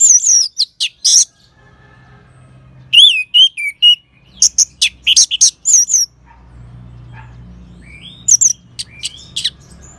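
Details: Orange-headed thrush singing, a bird-keeper's training recording meant to spur other birds into song: loud, high, sharply slurred whistled notes in short bursts, with a pause in the middle and scattered thin notes near the end.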